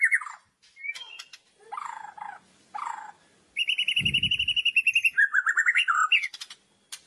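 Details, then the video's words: White-rumped shama singing in the loud kretekan style meant to rouse other shamas. A varied phrase of slurred whistles and buzzy notes leads into a long, fast, even trill and warbled notes. "KRETEKAN Keras Kicauan Merdu Sangat Jitu Memancing Emosi Murai Batu"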